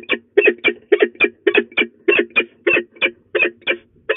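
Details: Loud, insistent grating kek calls from a threatening female peregrine falcon, De Mortel, Netherlands, 27 February 2024, 12:02, packed in quick pairs at nearly three notes per second throughout.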